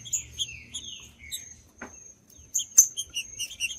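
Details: Green-winged saltator in the judas song style, meant to warm up a cold bird: a falling whistled phrase opens, then scattered bright high chirps, a brief click and a constant faint high-pitched tone.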